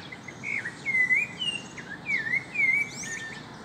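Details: Great kiskadee feeding on insects in a backyard with other free-flying birds; a few clear, slurred whistles dip and rise in quick succession, with faint high chirps and light background hiss.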